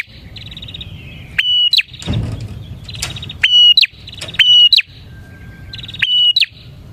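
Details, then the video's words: Lure recording of a bar-winged prinia singing hard: buzzy, rattling trills alternate with loud, steady whistled notes that snap upward at the end, repeated in quick succession. A brief noisy thump near the start, with low hum throughout. "suara burung prenjak gacor ini 💯% ampuh untuk pikat prenjak dan pancingan prenjak"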